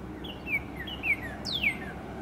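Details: Late-morning northern cardinal song near spring: a pair of short falling slurred whistles, then one strong sharply descending whistle that trails downward, with faint low rumble behind.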